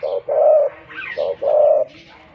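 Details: Spotted dove decoy bird, wild-caught, noted for a big voice, cooing twice in quick succession: a short note followed by a longer, level coo, with a brief faint higher chirp between.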